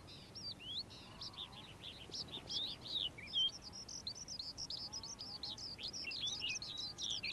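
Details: Calandra lark in morning song: quick, scratchy high notes tumble together with short rising and falling whistles, an unbroken chattering flow with one sharp pure whistle near the middle.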